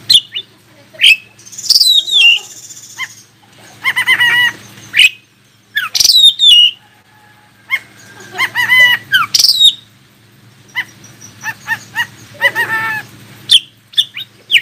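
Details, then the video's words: Oriental magpie-robin song meant to make other magpie-robins answer and sing: loud, high whistled notes sliding downward, mixed with bursts of lower, harmonic-rich chattering phrases, separated by short pauses. "KACER ANDA LANGSUNG IKUTAN NYAUT dan NGOBRA JIKA DENGAR SUARA KACER INI"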